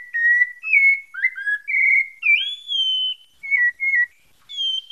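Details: A Pale-breasted thrush from Santa Fé, Bahia, sings a run of clear, varied whistled phrases, some sliding up or down, roughly one each half-second, with no other sounds.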